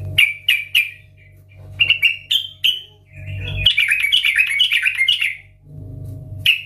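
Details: Chatty, loud yellow-vented bulbul song used as a lure: a string of crisp repeated whistled notes, then a lengthy jumbled bubbling warble and a final single note, with a low rumbling noise in the gaps.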